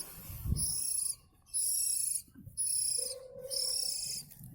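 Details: A local West Java Oriental magpie-robin (kacer) gives four very high, ringing, buzzy phrases, each under a second, about once a second, over a low background rumble and a brief lower tone.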